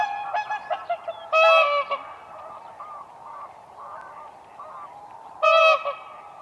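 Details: Whooper swans on a lake in spring, dancing on ice: two loud, harmonic bugling honks stand out near the middle and end, with softer honks and murmuring calls between them.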